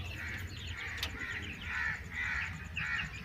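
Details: Broody hen calling with about five harsh, raspy bursts in just over three seconds, over steady low background noise and a faint regular high ticking.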